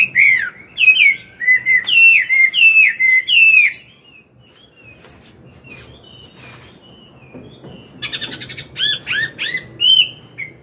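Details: Morning song of an older wild Chinese hwamei, played to train a young bird: loud repeated looping whistled phrases for four seconds, a quiet pause with faint notes, then another burst of curling whistles.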